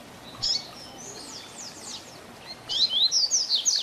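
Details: Double-collared seedeater performing Tui Tui Zel Zel Diferenciado, a teaching song for young birds. An opening high burst and soft descending slurs give way to a loud quick series of ringing whistled notes.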